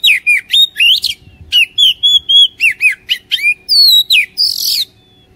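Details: Oriental magpie-robin song played daily to prompt a lazy kacer to sing: a rapid series of loud, sweet whistles and sliding notes, about four per second, ending in a harsher buzzy note.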